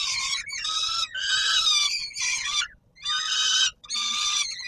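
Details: Peregrine falcon calling at evening feeding time, Palace of Culture and Science, Warsaw, 17 July 2022: rough, piercing wails in long runs, broken by one clear gap near the middle.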